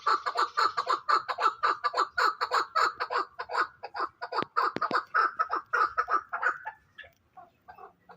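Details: Hybrid fighting chukar partridge calling a fast, steady run of loud, husky chuck notes, about two a second, that stops near the seventh second, leaving a few faint notes.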